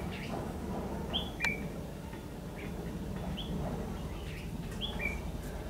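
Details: Red-whiskered bulbul singing a fighting song as a trapping lure, 14 December 2015; brief high chirped and slurred notes scattered through the clip against a constant low rumble.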